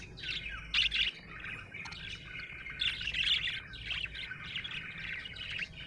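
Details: Happy budgerigar chirping: a continuous high warbling chatter with scratchy notes and brighter bursts of sharp tweets near the start and middle, over a faint low hum.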